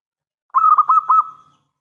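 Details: Zebra dove, a local bird with a big, clear voice used to lure other doves into answering, delivers a single brisk phrase of four or five bubbling coos that trails off into a sustained level note.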